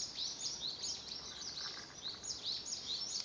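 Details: Several small birds chirp and twitter at once in the morning, quick high sweeping notes overlapping about twice a second over a soft steady hiss.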